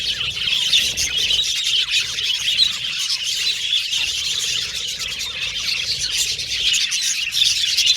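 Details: Australian budgies as happy pet birds singing and chirping, a thick ongoing chorus of squeals, whistles and rapid twitters.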